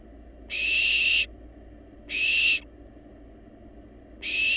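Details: Hoarse, drawn-out hissing screeches from wild barn owl chicks demanding food in a nest box, each lasting under a second, separated by quiet pauses of about two seconds.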